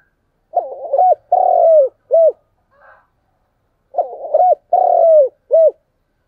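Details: Spotted dove giving its morning lure call to bring wild doves in: the same three-part coo phrase is delivered twice about three seconds apart, a rough lead-in, a long buzzy falling note and a short arched closing note, in clean silence.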